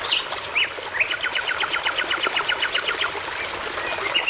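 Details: Forest nightingale by a babbling brook: a few rising whistled notes, then a fast rattling series of about twenty sharp, evenly spaced notes, over the soft rush of flowing water.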